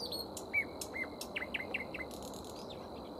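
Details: Nightingale singing in a tree where a grey warbler forages on leaves and flowers: a run of loud downslurred notes repeated about every quarter second, preceded by a sharp whistled note, over a steady hiss of background noise.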